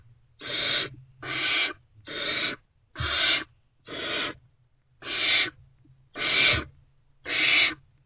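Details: Still-unfed great horned owl owlets in Owl Box C, 3 March 2024 before dawn, calling at the returning adult with eight evenly spaced harsh hissing screeches, about one per second, over a quiet low hum.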